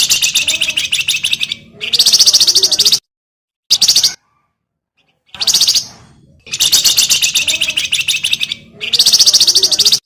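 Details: Javan grey-throated white-eye, a cage bird used as a master song for training, with loud high bursts of rapid chattering, trilled notes lasting one to two seconds, separated by short silences.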